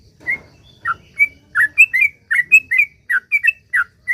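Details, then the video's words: Sooty-headed bulbul singing energetically in the long 'gacor ropel panjang' style to draw other bulbuls into song; a quickening series of short bright slurred whistles, soon tumbling rapidly one after another. "suara trucuk gacor ROPEL PANJANG ampuh buat pancingan trucuk agar bunyi"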